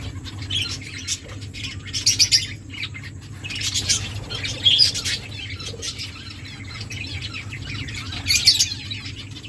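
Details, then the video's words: Finches in an aviary give bursts of high, thin chirps and twittering notes every couple of seconds over a steady low hum. "Finches singing birds chirping sounds"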